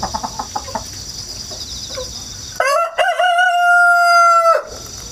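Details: Rooster hatched at home and kept in the countryside, crowing again and again on 1 September 2019, recorded with a GoPro and wireless microphone. Quick soft clucks first, then a full crow that rises and holds a long, even, bright note. Insects chirr faintly.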